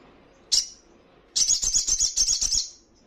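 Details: Sogon, the crimson sunbird, in a training recording for caged birds to answer: one sharp high chip, then a rapid rattling trill of bright high pulses lasting over a second.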